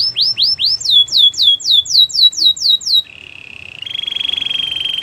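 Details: Canary singing a training song: repeated downslurred whistles in rapid series, then a low buzzy roll followed by a sustained rattling trill.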